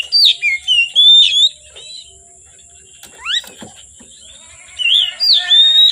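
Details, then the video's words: Oriental magpie-robin singing energetically from afternoon until dark: loud, clear whistled phrases with rising and falling slurred notes, a steep upward sweep mid-phrase, then bright whistles resuming, over a steady high electronic hum. "Kacer Gacor Sore Sampai Gelap Malam tetap Bunyi Gacor"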